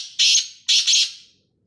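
Black francolin giving three harsh, grating, high bursts: one, then a quick pair, each with a ringing echo trailing off.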